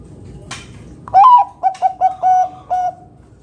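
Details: Song of a zebra dove used to coax other doves to sing: after a brief noise, a rising coo, a run of four short notes and two longer steady coos, clear and close.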